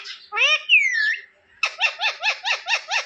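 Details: Pet rose-ringed parakeet in India giving a drawn-out gliding speech-like phrase, then a rapid even string of seven repeated chattering syllables, close and clear indoors.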